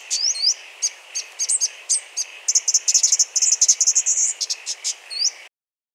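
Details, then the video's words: Two Brown Thornbills, shortly after their nest was disturbed, mimic a chorus of other species: a fast jumble of very high, varied notes, with sweeping whistles, sharp ticks and a rapid chattering run. "Brown thornbill vocal mimicry (chorus)"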